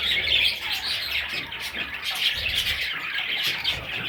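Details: Young parrot chicks in a group give a steady stream of shrill, overlapping chirps and squeaks, forming one busy high-pitched chorus with faint low bumps.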